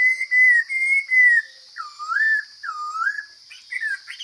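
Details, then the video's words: Chinese hwamei from the forest singing loud, clear whistles: a long level phrase, then two swooping U-shaped notes and a rising flourish, with short pauses between. A steady shrill background drone is present. "Coob hav zoov quaj tau zoo kawg!"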